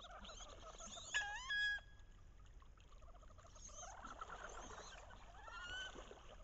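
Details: Paired wood ducks on a bayou in the last weeks of October, hens loudly vocalizing while chasing head-down to entice drakes; a single loud, rising, harmonic squeal near the start, then softer chatter and twittering from many birds.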